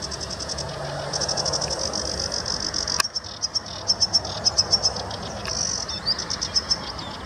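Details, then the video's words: Sedge warbler singing at De Hoge Dijk, Amsterdam, the Netherlands, on 11 April 2017: a dense, high chattering run of quick repeated ticks and short rattling trills. The notes come in rapid bursts, with a sharp click near the middle. "Sedge Warbker/Rietzanger"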